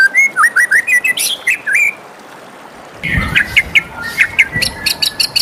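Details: White-rumped shama morning song, a rapid series of looping whistled notes near one pitch, a brief pause, then quick sharp repeated chips and whistles.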